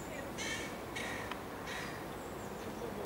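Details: A juvenile carrion crow with white feathers in Amsterdam, Netherlands, on 29 July 2013, gives three harsh, hoarse caws about half a second apart over a steady hiss of background noise.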